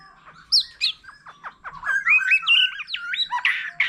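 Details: Many-voiced song of a wild-matured white-rumped shama heard with a laughingthrush: quick jumbled whistles and squeaky phrases rising in loudness, ending in harsh rich notes.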